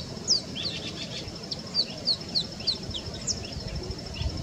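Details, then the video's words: Marico sunbird singing a rapid, high-pitched twittering song of thin, downslurred notes, several per second, over a low background rumble; the song is described as a bit like Purple Sunbird's. "Marico Sunbird singing"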